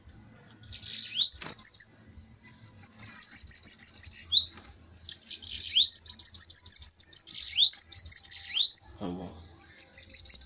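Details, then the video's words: Bananaquits fighting in a song duel, repeated high buzzy sizzling trills, each several seconds long, studded with quick rising whistled upslurs, one brief lower knock midway. "DUELO DE SIBITES FOGOSOS!"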